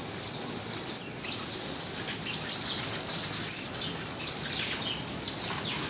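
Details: Several white-necked jacobins, hummingbirds at Ecuador's Buenaventura Reserve, give sharp, piercing high squeaks and quick downslurred notes in loose bursts, set against a constant shrill background hiss.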